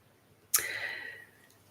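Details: An Eastern Whipbird, visiting unusually close during a 7am AEDT Sunday session on 24 December, gives one sharp cracking whip note ringing on as a high, slightly falling whistle for about half a second, in an otherwise quiet room.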